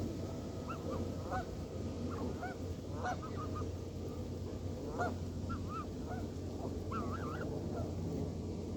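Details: Canada geese calling: repeated short rising and falling honks from several birds, in bursts across the recording, over a constant low rumbling background noise.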